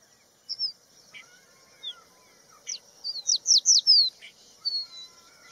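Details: Crested bunting singing: a few scattered thin high notes, then a quick run of bright, sharply descending slurred whistles near the middle, followed by a couple of softer trailing notes over a steady faint high hiss.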